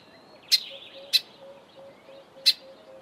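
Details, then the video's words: A Grey Sunbird gives three sharp, high chips at uneven intervals over a faint, low repeated hum. "Grey sunbird call"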